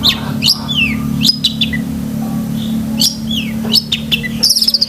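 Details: Long-tailed shrike, 'isian' song used to train pet cendet: spaced sharp chirps and downslurred whistles with gaps between, closing in a rapid high chatter, with a steady low hum in the background.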